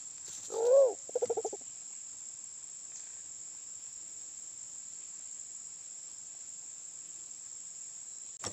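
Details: Sulawesi black pigeon (Turacoena manadensis), a forest dove from Sulawesi, calling in a recording used as a lure call. A short low hoot leads into a wavering note, then a brief pulsed low phrase. A steady high electronic whine runs throughout.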